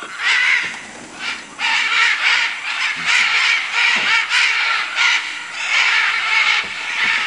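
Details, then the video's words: Loud, almost continuous chorus of rough screeching calls from macaws in Manu, Peru, many birds calling over one another with hardly any pause. "Guacamayos Manu Perú"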